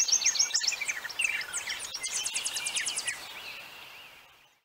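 Purple martin song: a rapid, gurgling jumble of high chirps, rolls and liquid notes, tumbling over one another for several seconds before fading.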